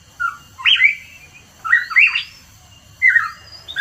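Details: Hooded pitohui giving three loud whistled phrases, each a rich rising-and-falling slur with harsher edges, spaced about a second apart; recorded in mountains of East Java, Indonesia.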